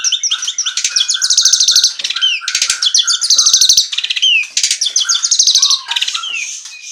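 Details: Asian pied starling, a songbird in full voice singing in the ngaruda style: loud, dense phrases of rapid buzzy trills and harsh rattles mixed with sliding whistles, bursts repeating about every two seconds with brief pauses.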